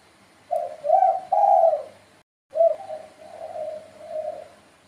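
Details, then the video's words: Spotted dove coos: two strong husky notes open the sequence, then after a brief break a series of softer, drawn-out, wavering coos trails off; quiet background. "suara panggilan tekukur"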